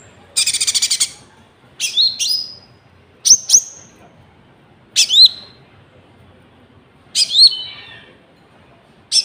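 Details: Konin song as a lure for trapping and for training caged birds, with cricket sounds added. Clean, loud high phrases of short whistles and a buzzy trill are separated by pauses of one to two seconds.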